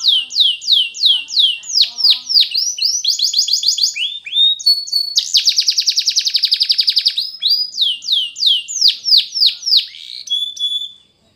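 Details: Spanish Timbrado canary singing a training song: fast trills of repeated high notes, rapid clicking rolls and runs of descending whistled sweeps, phrases changing every second or two, the bird continuous and loud.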